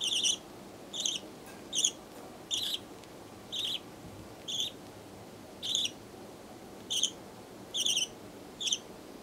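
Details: A young budgerigar about one month old, hatched 18 September, gives short, raspy chirps repeated roughly every second against a quiet room hum.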